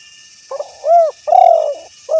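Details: Spotted dove cooing: a short soft lead-in note, a loud arched coo, a longer throbbing drawn-out coo, then another arched note starting, all low and mellow, with faint steady insect hiss above.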